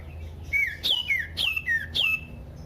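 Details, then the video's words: Common iora, known locally as sirtu or cipoh, used as a lure to set other ioras singing. Clear whistles: a level mid note, then a sharp high note sliding downward, the phrase given three times about every 0.6 seconds over a faint low hum. "pancingan burung sirtu cipoh"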